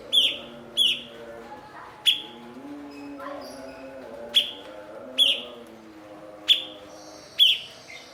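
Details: Blue-winged leafbird as a master bird for teaching other songbirds: eight loud, sharp chirps, some doubled, each a quick downward-sweeping note, scattered irregularly over eight seconds with faint lower warbling underneath.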